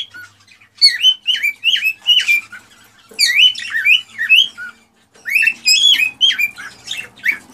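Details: Male cockatiel singing excitedly to stimulate a female to mate and breed: clear whistled, warbling phrases of rising and falling notes in three bursts separated by short pauses, in a quiet indoor setting.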